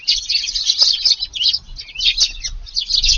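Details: Early-morning Eurasian tree sparrows coming to a Japanese garden to feed in rainy weather, August 2nd; continuous overlapping high chirps and twitters from several birds.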